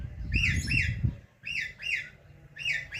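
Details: Indian ringneck parakeet chirping: repeated sharp, rising-falling chirps in short clusters, with low rumbling background noise and a brief gap midway.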